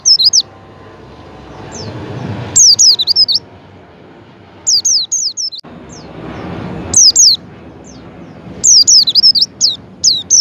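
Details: Javan white-eye calls used as a lure to get a pet white-eye to open its beak and sing: high, thin, wavering chirps in quick bursts, separated by pauses with a low background hum.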